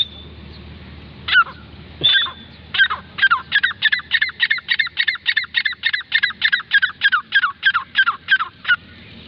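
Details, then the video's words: Grey francolin (teetar): a few spaced harsh opening notes build into a fast, regular chain of grating two-part notes, about three per second, continuing for six seconds over a low background hum. "Teetar Voice|| top 5 sounds of Dakhni teetar birds||gray francline awaz || Irani teetar ki awaz"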